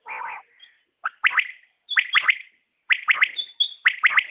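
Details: Common quail: a lower, nasal opening note, then a run of sharp three-note bursts, high and clipped, coming roughly once a second in otherwise silent surroundings.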